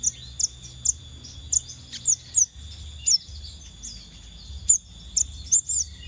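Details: Scarlet minivet lure call: a steady series of short, bright, high whistles, about two per second, with some fainter overlapping chirps. A quiet hum runs throughout.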